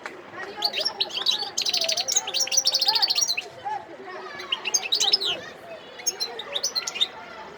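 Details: Wild goldfinch song recorded in Sidi Bel Abbes on 17 December 2021. It opens with energetic high chattering and buzzy trilled bursts, then gives sparser, sliding tweets with short pauses between phrases.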